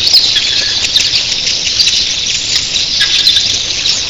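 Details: Early morning with thousands of red-billed queleas: an intense, shrill, continuous chorus of twitters and squeaks, over a faint roaring of wings reminiscent of crashing surf.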